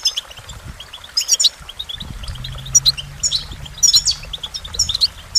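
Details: Goldfinch song: rapid, bright twittering of short chirps and trills, coming in quick bursts about every second, with a faint steady low hum underneath from about halfway through.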